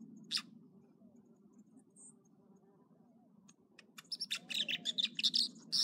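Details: American dipper at Echo Lake, Trinity Alps, California, in the morning: one sharp note, then near silence over a low rumble, before a fast burst of high, jumbled chirps and trills fills the final two seconds.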